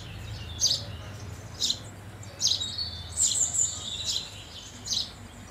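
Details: House sparrow giving sharp chirps at irregular intervals, with a cluster of quicker overlapping notes midway and a steady low hum behind.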